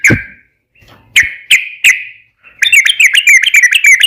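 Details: Lure recording of a yellow-vented bulbul meant to set other bulbuls singing: several sharp separate chirps, then a fast run of bright, warbling whistled notes in its ropel song.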